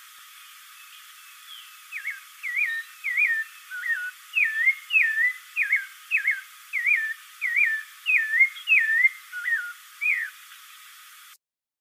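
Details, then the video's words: Spectacled thrush singing a steady run of about fifteen short, slurred whistled phrases, each rising or dipping, roughly one and a half per second, over a faint hiss. "SABIÁ CARAXUÉ SEU CANTO Spectacled Thrush"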